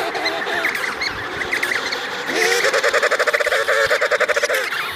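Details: Adult emperor penguin pair with their chick by the Davis Sea: a loud, pulsed, warbling call with rapid even beats, rising in pitch at the start then holding steady for about two seconds, over a background of other penguins calling and wind.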